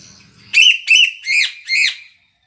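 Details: Sule bird singing loudly, recorded for song training: four strident, buzzy notes around a second apart, each sharply accented then sliding down in pitch, with a faint low hum before the first note and silence after the last.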